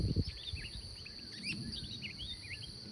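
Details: A bird singing early in the morning outdoors: short, quick, curling chirps repeated several times a second, over a steady high-pitched insect-like whine and low rumbling background noise.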